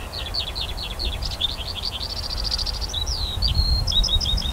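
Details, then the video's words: Skylark above a barley field on 28 June 2018, summer: quick descending chirps, a rapid buzzy trill, then a long slurred whistle and spaced short notes, over low wind rumble. "Skylark song above a barley field"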